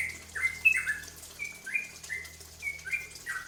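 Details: Lure song of a cucak ropel bulbul, meant to provoke other birds to sing, made of bright falling whistles and short chirps spaced unevenly.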